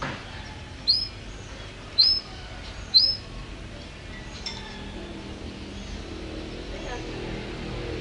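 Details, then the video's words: Canary singing vigorously: three short, bright, rising whistled notes, one about every second, then quieter faint chirps over a low background hum. "Kicau burung kenari gacor"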